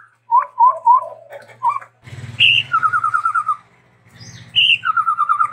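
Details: Chestnut-rumped babbler, a Sumatran endemic, singing full and varied: three quick upslurred whistles, then high notes dropping into rapid, evenly pulsed trills, twice. A low humming background comes and goes.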